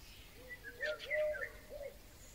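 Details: Eurasian golden oriole song recorded in May 2020: a brief run of low, fluty whistled phrases, each swelling and dipping, the loudest in the middle, with other birds faintly audible in the background.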